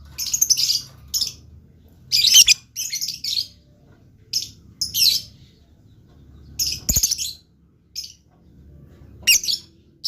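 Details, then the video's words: Blue lovebird in lively chatter; frequent bursts of high, shrill, buzzy chirps in irregular clusters throughout, with brief pauses and a faint low thump between some bursts. "LOVE BIRD GACOR"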